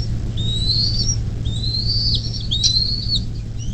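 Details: Nest-cam recording of a bald eagle near South Lebanon on the Little Miami River, Ohio, USA, May 2024 morning: three long, thin rising whistles, each ending in a quick downturn, with a background hum.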